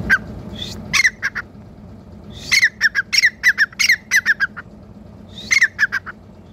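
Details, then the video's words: A grey francolin gives loud, harsh, repeated squawking notes in rapid bursts of three to five, over a faint low background hum. "Grey Francolin | Teetar Ki Awaz | Teetar Voice"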